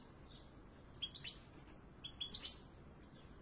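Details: European goldfinch nestlings fed by both parents inside the nest, uttering two quick clusters of high, squeaky chirps about a second apart, then a single faint note, over a low hiss.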